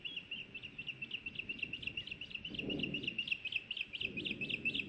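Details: Osprey at a nest camera in Hellgate Canyon, Missoula, Montana, on May 26, 2024, around a fish delivery: quick, thin, whistled chirps repeated about twice a second throughout, with low rustling thumps near the nest.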